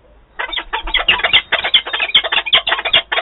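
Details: Adult peregrine falcon pair meeting at Wałbrzych, Poland, on 11 September 2022, apparently their first such adult encounter; a rapid, harsh, grating chatter of clipped notes, roughly two or three per second, after a short quiet start.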